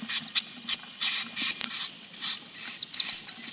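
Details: Twittering, high-pitched swiftlet chatter in bursts with brief gaps, over a thin whistled tone and a soft low hum, recorded originally as a lure to bring the birds in to roost.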